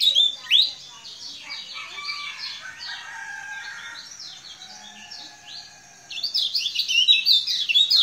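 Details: Lemon-bellied white-eye from Lombok in full song: a loud burst of sharp twitters opens, softer rambling chatter follows for several seconds, then energetic high chirping phrases return strongly at the end.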